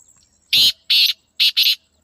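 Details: Natural call of a black francolin: four loud, coarse, grating notes, two separate ones followed by a tight double note, all delivered within about a second and a half.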